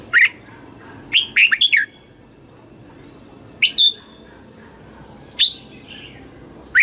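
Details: Red-whiskered bulbul morning song in the double-note wild style: an opening whistle, a rapid five-note tumbling phrase, then paired and single clear notes spaced out, over a faint steady electrical tone.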